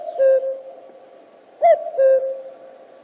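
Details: Common cuckoo (Cuculus canorus): the drawn-out low ending of one cu-koo, then a complete call, a clipped higher hoot followed by a longer, lower, even note, against a quiet background.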